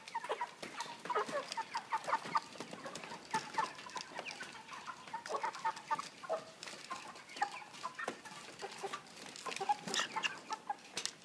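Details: Steady chatter of caged 3 kg broiler chickens with a pan feeder and plastic floor: short clucks and peeps overlapping throughout, broken by intermittent clicks and knocks.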